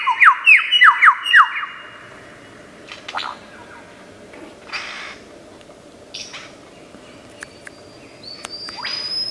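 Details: Lyrebird, a skilled mimic of Australian forests, opens with rapid repeated downward-slurred whistles, then falls to scattered short noisy bursts, a rasping buzz and a thin sustained high whistle, with gaps of near silence and a low hum.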